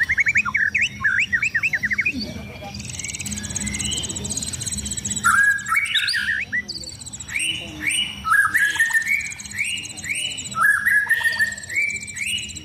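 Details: Contest-ready White-rumped shama during its daily sunbathing: quick rising chipped notes, a pause, then a long series of rich whistled and slurred phrases, with a persistent high buzzy trill from another bird behind.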